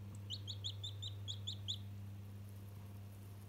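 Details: Chicken chick, one day old, talking to a toy: a fast, even string of about nine high, clipped cheeps in under two seconds, then quiet apart from a steady low drone.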